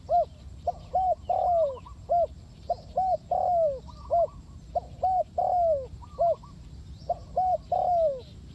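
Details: Spotted dove used for bird trapping, dense repeated phrases of short hooting coos each closing with a longer falling coo, possibly two birds overlapping, faint higher chirps behind.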